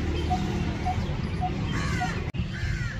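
A coppersmith barbet gives four soft, hollow 'tuk' notes about every half second over heavy low rumble, with another bird's rising calls briefly behind.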